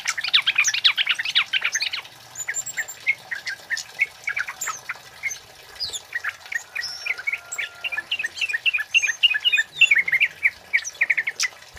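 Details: Male flowerpecker in full voice, 'cit keres' style, for lure and tutor use; opens with a dense chattering burst, then steady rapid high chips several per second throughout.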